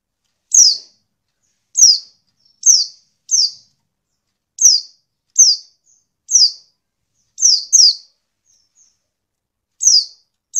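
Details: A female white-eye, used as a lure to provoke males into calling, gives short, high, down-slurred chips, about ten in ten seconds at an uneven pace, with clean silence between.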